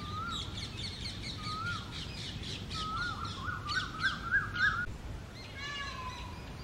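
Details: Two groups of common mynas fight territorially in a garden during the summer breeding season, with jungle babblers intervening: harsh, grating chatter over short whistled notes in a rapid jumble, other birds calling, and a low rumble.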